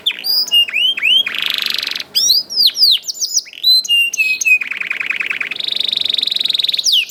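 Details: Canary singing vigorously to encourage other canaries: looping whistled slurs, a harsh buzzy phrase, high chips, then long steady rolled trills at two pitches.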